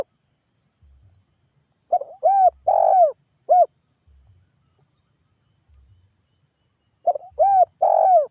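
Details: Calling coo of a spotted dove, used to get other doves to reply: two phrases, each a quick lead-in note, a drawn-out hollow coo and a short closing coo, with a soft low rumble in the pauses.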